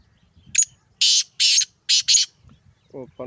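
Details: Male black francolin from Sindh calling: a quick run of five harsh, rasping broadband notes over about a second and a half, then faint low voices at the end.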